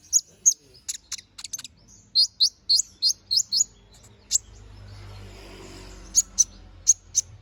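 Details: Canary in vigorous 'gacor ngobra' song for training magpie robins: quick high chirps, then a regular series of sliding notes about three per second, a short pause with soft rushing noise, then more chirps.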